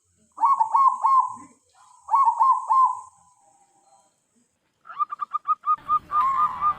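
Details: Zebra dove used to lure wild doves. It gives two bubbling coo phrases of three quick beats each, then a fast run of clipped, ringing notes ending in a rolling trill.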